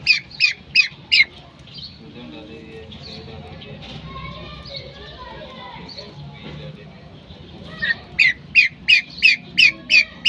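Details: Female common pheasant calling: a rapid series of harsh, squawky notes, about three per second, in bursts at the start and again near the end, with a quiet, faintly noisy stretch between.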